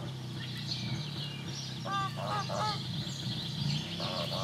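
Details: Geese calling: a couple of nasal, harmonic honks in quick succession midway, another short honk near the end, over a low steady hum with faint high chirps behind.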